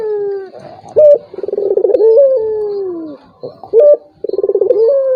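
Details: Turtle dove cooing, played to provoke a rival that will not call. There are low falling coos, brief loud flat notes, and a rolling pulsed phrase that ends in a gently sinking tone.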